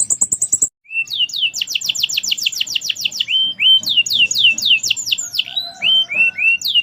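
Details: Canary, merlok type, in lively song: opens with a very high rapid pulse series, then long runs of fast downslurred notes broken by short rising whistles, continuous and loud throughout.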